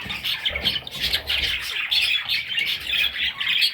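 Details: Parrot chicks chattering steadily in a scratchy, high-pitched chorus of overlapping squawks, with soft low thumps early on.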